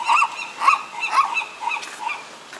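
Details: Seagulls in Monterey Bay, California, recorded on an action camera, cackle in a repeated laughing series, each nasal note about half a second apart, gradually fading.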